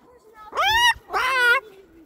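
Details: Pet Moluccan cockatoo out on a walk to the park giving two rich, arching, harmonic squawks about half a second apart over a faint lower background voice.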